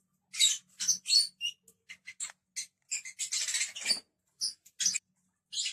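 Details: Lovebirds giving a rapid series of sharp, high-pitched chirps and squeaky chattering notes in irregular bursts.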